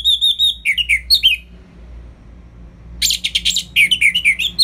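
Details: Loud Orange-headed thrush song in the ngeplong style, used as a master recording for lazy birds: quick descending whistled notes, a short pause, then a dense ringing burst and fast repeated phrases.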